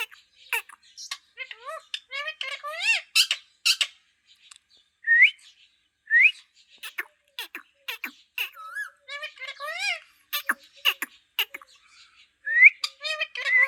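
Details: Green parrot talking, a fast stream of harmonic, voice-like syllables mixed with rising whistles, clicks and chattering notes, with brief pauses between bursts.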